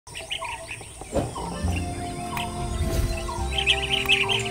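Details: A Blue-tailed bee-eater in Sri Lanka calls to its mate with bursts of short, rolling chirps repeated in quick clusters, over steady tonal background sounds that may be music.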